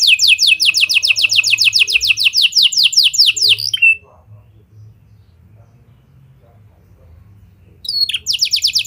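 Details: Gacor canary with lovebird and prenjak phrasing, played to make other canaries sing long: a four-second run of rapid falling high notes ending in a short twitter, four seconds of silence, then the trill resumes.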